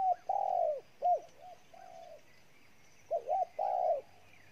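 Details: Wild-caught spotted dove cooing intensely: low, hollow coos in short and drawn-out notes, some with brief upward hooks, grouped into two phrases with a pause between.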